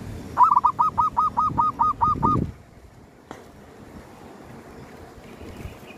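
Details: Zebra dove (perkutut) calling near a graveyard while being hunted with a lure bird; a rapid run of about eight short, hooked, cooing notes in quick rhythm, then quiet background.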